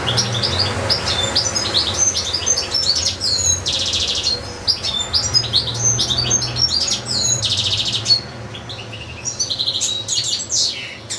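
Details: Nonstop song from a caged European goldfinch housed with a second goldfinch and two small goldfinch-canary hybrids; rapid tinkling twitters, sharp rising and falling notes and dense buzzy trills pour out continuously over a faint low hum.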